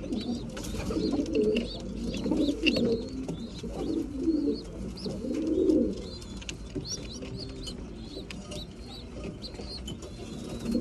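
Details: Breeding pigeons at mealtime give low, bubbling coos over the first half, then quieter murmuring, while high chirpy squeaks and light clicking continue in the background.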